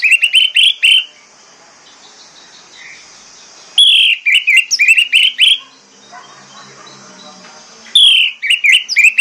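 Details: Orange-headed thrush song used as a training lure to prompt silent caged birds to start singing; three loud bursts of rapid, rich whistled notes with short trills, each about a second long, separated by pauses of near silence.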